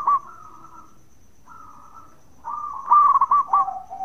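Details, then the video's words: Local zebra dove from Indonesia in bekur song, aimed at provoking answering doves; two smooth drawn coos followed by a sharp stuttering trill ending in a low note. "Perkutut Lokal Gacor Suara bekur super Ampuh bikin Nyaut bunyi"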